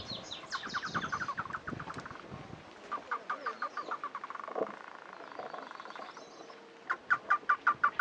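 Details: Chotoy spinetail song: a fast chattering of repeated notes, several series overlapping and rising and falling in pitch, then a pause and a closing run of about seven loud, evenly spaced notes near the end.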